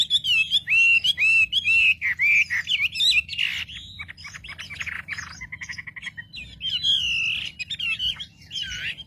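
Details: Wambi singing to provoke other wambi birds: repeated looping whistles for about three seconds, then a scratchy chatter, a short rapid rattle and more loud warbled whistles.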